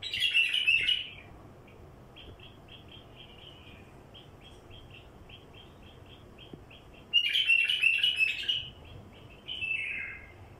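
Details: Singing wild bulbul, used as a lure for wild ones: rich, loud warbled bursts at the start and near seven seconds, linked by a steady train of quick, evenly spaced chirps, ending in a descending phrase.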